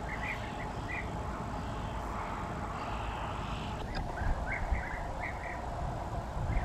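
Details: Several European bee-eaters at a colony in a sand pit at Weiden am See, Austria, on 7 July 2023, give short, rolling, liquid 'prruip' notes in loose bursts over a steady low rumble of wind or distant traffic.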